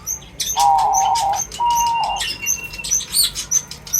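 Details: Feeding birds give high chirps and ticks while two steady whistled notes of middle pitch, each about a second long, sound near the start; faint rustling runs underneath.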